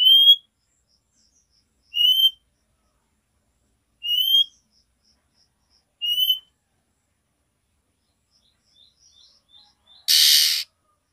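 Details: Female oriental magpie-robin calling to the male with its 'nyiul' call. Four short, rising, clear whistled notes come about every two seconds, followed at the end by one harsh, hissing burst.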